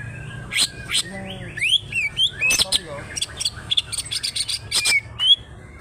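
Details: Greater green leafbird of local Banyuwangi Alas Purwo stock, kept for song contests, delivering a fast harsh medley of rising whistles, slurred notes and clipped percussive chips packed closely together for several seconds.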